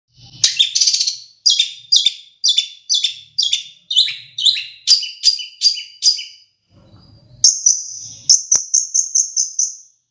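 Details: Long-tailed shrike from Madura singing with mimicked sparrow and Java sparrow phrases: a run of rapid, repeated chattering bursts, a short pause, then a series of clear high piping notes repeated quickly.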